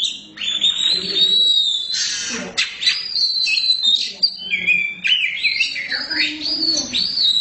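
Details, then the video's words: Black Oriental magpie-robin (kacer hitam), a caged songbird, in full vigorous song. It gives long clear whistles, buzzy rasping bursts and fast looping slurred phrases, each changing to the next without pause. Faint murmur of voices underneath. "Kacer hitam gak pernah malu untuk gacor"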